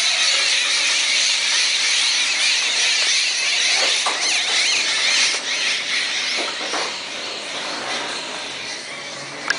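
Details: In the morning, a flock of jungle babblers (identification uncertain) keeps up a dense, harsh, squeaky chatter, with overlapping high calls running nonstop, about two bursts per second.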